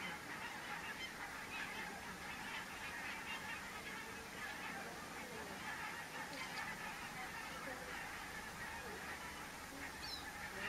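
Many geese honking together in a dense, overlapping chorus of harsh nasal calls, steady throughout with no pauses.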